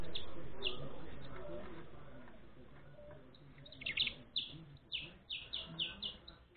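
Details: A saffron finch (Sicalis flaveola) chick being fed gives short, high chirps, about three a second in quick bursts, over a low background rumble.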